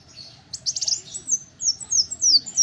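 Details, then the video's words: Brief phrase from a little spiderhunter: a short rasping burst followed by a string of piercing, high, descending slurred notes repeated rapidly, over low steady background noise. "Kolibri wulung untuk masteran dan pancingan burung kicau"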